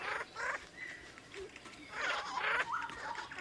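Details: A male and female Kalij pheasant at a waterhole hide just outside Kaeng Krachan National Park, Thailand. They give soft, irregular clucks mixed with thin, high squeaks in several quick short bursts, with a faint rustle behind.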